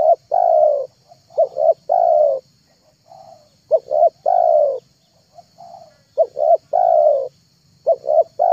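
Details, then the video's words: Spotted dove lure call for drawing in wild, tame-trained or mute doves: low coos with two short clipped notes and a long drawn note, about five phrases, faint softer coos between them, steady faint hum. "MP3 TEKUKUR PIKAT TERHITZ DI AKHIR TAHUN 2022,,pikat tekukur"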